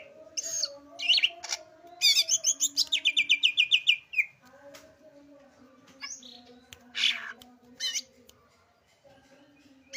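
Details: Song of a kept green leafbird: scattered chirps, then a fast rattling trill of about a dozen evenly spaced high notes, followed by sparse whistled and squeaky phrases over a low steady drone.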